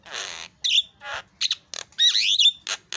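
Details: Javan myna in lively song, exchanging calls with other birds: dense rasping bursts alternating with sharp whistled slurs and a long rising and falling squealing phrase, closing with short harsh notes.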